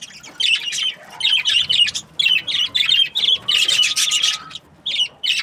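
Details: Breeding pairs of budgerigars chatter in evenly spaced bursts of scratchy, buzzy chirps, roughly ten phrases in five seconds, with a faint thin whistle running underneath.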